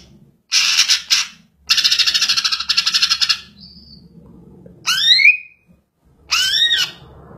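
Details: Greater green leafbird calling with coarse, rasping pulsed bursts, a brief thin note, then two separate arched whistles, each rising and falling, spaced about a second and a half apart.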